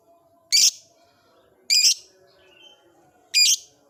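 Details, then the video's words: Caged lovebird in an old cage: three sharp, harsh, high chirps spaced about a second apart, each brief and loud against a quiet background with faint low hum. "Suara burung Lovebird"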